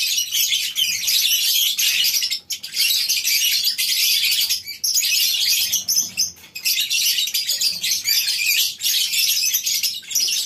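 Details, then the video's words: Morning at a lovebird breeding farm with birds housed in a colony cage: loud, high, rapid chirping from many individuals, surging in waves with short quieter dips between them. "Suasana Pagi Di Peternakan Burung Lovebirds di Kandang Koloni, Suara Love bird"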